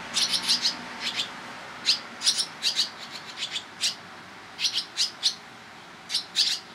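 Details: Young barn swallows begging during rapid parental feeding visits, July, private property in Toronto, Ontario, Canada: crisp high twittering chirps, some doubled or tripled, separated by short pauses.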